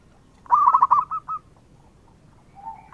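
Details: One short phrase from a vigorously singing local zebra dove, used as a lure: a fast string of staccato coos ending in two slower notes, followed by silence and a faint low coo.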